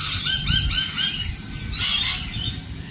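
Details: Several lorikeets give quick harsh screeches in a fast, jerky series, then louder piercing squeals around the middle, over a low murmur of background noise.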